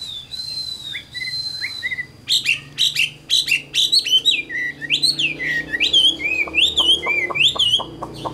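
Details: Wild-caught adult Chinese hwamei kept in a cage. It opens with a long, thin whistle, then a few soft notes, then bursts into loud, varied phrases of slurred whistles and buzzy notes. Sharp clicks sound near the end.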